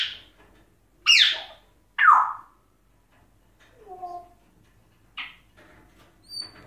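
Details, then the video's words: African grey parrot kept in a cage in Egypt, talking clearly in a strong, deep voice like a man's, producing a string of sharp sweeping sounds, hoarse syllables and voiced word-like notes, about one per second, indoors. "زنجباري أو كاسكو يتكلم بصوت واضح"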